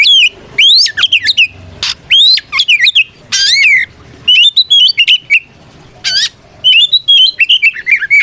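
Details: Oriental magpie-robin in a loud fighting song to goad other birds into responding: quick upslurred whistles, raspy bursts and twittering chirps strung into dense, varied phrases with short gaps.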